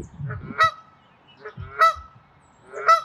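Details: Canada goose defending territory at Wilde Lake in Columbia, Maryland, 11 April 2024: three loud, ringing honks about a second apart, each rising from a short low grunt into a bright nasal blare.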